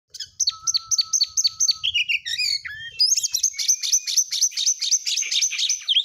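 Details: Caged oriental magpie-robin (kacer) in dense, fast chattering song, full of varied imitative phrases: rapid repeated sharp chips, buzzy trills and high whistled notes packed tightly together, with faint low thumps underneath.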